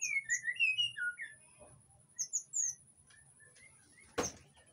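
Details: White-rumped shama in breeding condition, kept in an Indonesian aviary, singing to lure other shamas: quick clear whistled phrases, some sliding and rising, in bursts, then a harsh broadband rasp near the end, over a steady high electrical whine.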